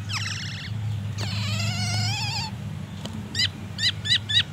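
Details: Black-naped oriole kept in a cage, singing with copied white-rumped shama material: a high rippling phrase, a long bright wavering whistle with a click, then four quick hooked chips near the end, steady low hum beneath.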